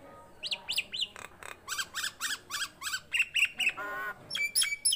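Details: Loud tame Nias hill myna: bouncy paired whistles and a regular series of buzzy, harmonic chirps, a rasping squawk and bright high notes at the close.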